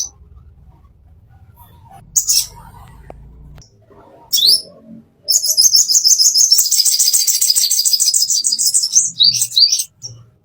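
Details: Plain-throated sunbird master song meant for training caged birds, with scattered high thin chips and sharp notes, then a rapid, dense, high twittering run for about five seconds before stopping.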